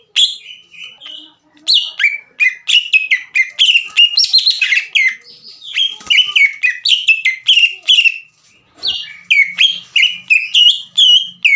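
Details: Green leafbird in long, varied song used to provoke rival birds: dense rapid mixture of whistles, chirps and slurred phrases, a short gap, then a regular series of sharp down-slurred notes.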